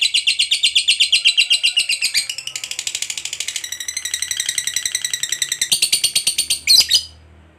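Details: Long 'ngekek' chatter from a fighter lovebird, used to spur other lovebirds to reply: a fast, shrill stream of rattling notes that shifts pitch partway, speeds into a dense trill, then stops abruptly with a final squeak.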